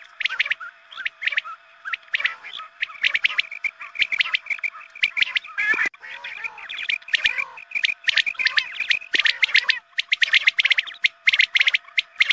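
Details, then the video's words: Recording of quail used at the dawn call to prayer to draw in quail: dense, overlapping high chirping notes in quick clusters, continuing for the whole stretch, with a faint constant hum and one brief harsh burst midway. "Batair mast awaz#Azaan ke waqt ke awaz#batair shekar#batair sound"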